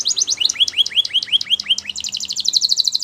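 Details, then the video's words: Training song for young canaries: a tour of about eight looping, downward-curving whistled notes at an even pace, then a very fast, high rattling trill to the end. Faint low hum underneath. "The Best Canary Sounds"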